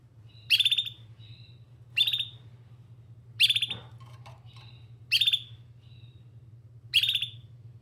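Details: Canary repeating sharp chirps regularly about every one and a half seconds, each followed by a soft thin whistle; a faint rustle mid-way and continuous low electrical hum.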